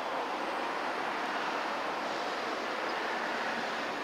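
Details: Steady broadband rushing noise like wind or passing traffic, with no animal sounds heard.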